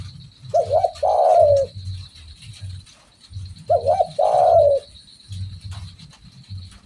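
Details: Two phrases from a spotted dove singing vigorously, roughly three seconds apart. Each opens with short wavering coos and ends in a drawn-out descending croon. A pulsing low hum runs beneath.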